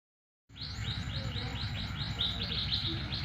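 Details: Canary song used as a lure to make other canaries answer: a steady series of quick rising-falling high notes, about four per second, over a constant low rumbling background.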